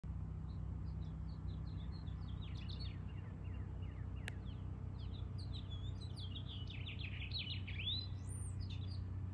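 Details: Male house finch (Haemorhous mexicanus) singing to establish territory near his nest with eggs in a house's front column: a long, jumbled warble of quick high chirps and slurred notes rising toward the end, over a steady low rumble.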